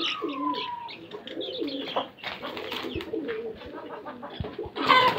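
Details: Hobby-kept fancy domestic pigeons in Karachi, Pakistan, giving repeated low throaty coos in a small room, layered with a steady whistled tone, thin chirps and a loud burst near the end.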